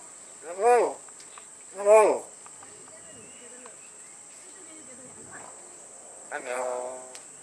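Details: A hill myna at Lok Kawi Wildlife Park, Kota Kinabalu, mimics human speech, giving two clear voice-like calls a second apart, then a longer spoken phrase, over a steady high insect drone.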